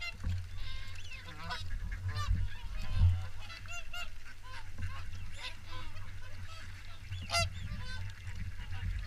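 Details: Swans at WWT Caerlaverock during the morning feed, many birds giving overlapping honking, bugling calls in a busy chorus, with steady low rumble beneath.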